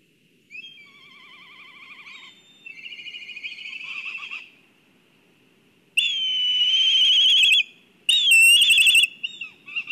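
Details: Excited black kites calling at their nest in Kurzeme, Latvia, on a live nest camera: long drawn-out whistles with a wavering, quavering tone, a pause, then a louder rising whinny and sharp broken notes.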